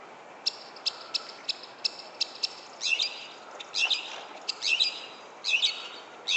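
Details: At sunset on 31 July 2014 in a San Francisco back yard, a resident bird utters evenly spaced dry ticks, then switches to harsher raspy chattering notes repeated about every second.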